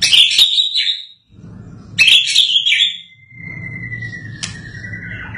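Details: Freshly moulted white-rumped shama delivering two bursts of rich, rapid warbling with sharp accents, followed by a long, thin, drawn-out whistle that slowly drops in pitch, over a faint low hum.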